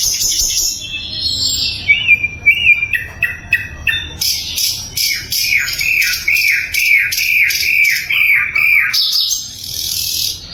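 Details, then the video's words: Sikatan londo flycatcher singing loudly and clearly, a recording used for training murai and other songbirds: fast varied high phrases, buzzy bursts and rapid repeated upward-curling notes about twice a second. "SIKATAN LONDO GACOR - SUARA LANTANG & SUPER JERNIH"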